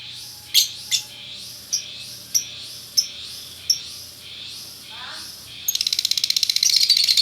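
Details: Male and female lovebird pair in Bukittinggi, West Sumatra, calling: sharp chirps repeated about every half second, then a fast buzzy chattering burst near the end, with a faint low hum.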